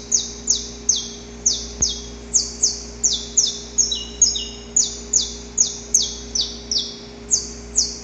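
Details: Wild male saffron finch giving its extended, rough pre-dawn courtship song: bright, high downward-sweeping syllables repeated roughly twice a second, with a brief stretch of quicker, lower doubled notes midway, over a steady faint background hum.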